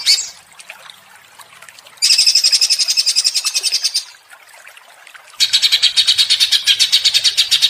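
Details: Greater green leafbird in emotional, continuous ngentrok song: two bouts of fast, piercing pulsed notes, each lasting a couple of seconds, separated by a short lull.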